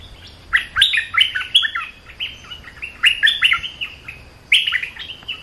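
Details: Bulbul in full song: rapid clusters of bright, warbling whistled notes sliding up and down, grouped into phrases separated by brief pauses, with a clean, quiet background.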